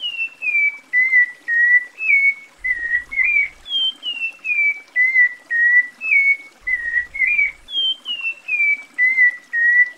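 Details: Cocoa thrush from Brazil singing clear, whistled phrases, each sliding down in pitch, delivered in a steady series of short groups with brief gaps between them.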